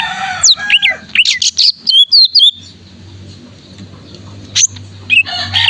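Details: Greater green leafbird in vigorous gacor song, used to coax silent caged birds into singing: a burst of sharp, varied whistled notes and sweeps, then a near-silent gap broken by a few isolated chips, with a low hum beneath.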